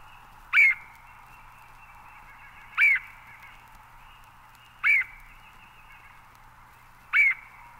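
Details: A Red-headed Woodpecker (Melanerpes erythrocephalus) in eastern North America gives four loud, harsh, slightly rising calls, one about every two seconds, over a faint steady hiss.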